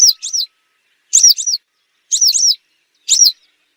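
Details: Hunting-lure recording of a western yellow wagtail: high, thin, doubled down-slurred chirps in quick pairs, each pair repeated about once a second against a silent background.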